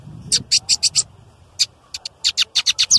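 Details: Loud male lined seedeater for song training: a quick string of short, bright, clicking notes in two bursts, separated by a brief pause and a single note.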